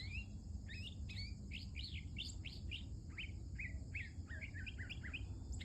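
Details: Female mockingbird singing early in the morning, at first heard but unseen. She gives a fast run of varied chirped and slurred phrases, each note repeated a few times before switching. A steady low rumble sits underneath.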